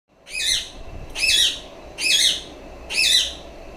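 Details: Pet female rose-ringed parakeet kept indoors, giving four loud harsh screeching calls, each about half a second long and repeated roughly every second, over a steady low background hum.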